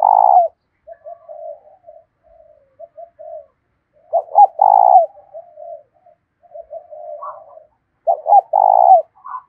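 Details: Spotted dove decoy calling to bring in wild doves: a loud, rough coo opens the clip, with two later phrases of short notes and a long, hoarse coo, and quieter cooing from other doves between.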